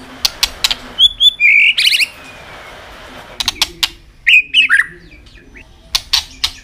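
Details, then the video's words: Tail-flicking white-rumped shama giving a fighting song meant to stir up young birds: scattered sharp clicks around a few whistled phrases, one long descending slur, and a short burst of quick falling notes. "chòe lửa hót đánh đuôi.chòe lửa tạch kích bổi lên lửa hiệu quả"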